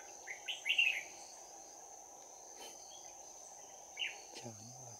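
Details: Decoy Red-whiskered bulbul, trapped, in 'bell voice' fighting song on 11 January 2019: a burst of quick slurred whistles, a pause, then a single short phrase, followed by a brief low human voice; steady high tone throughout.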